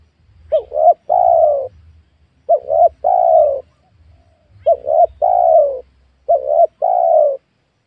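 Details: Spotted dove calling on newly cleared young oil palm land while wild doves are lured: four three-part phrases, with two brief coos leading into a longer smooth falling note.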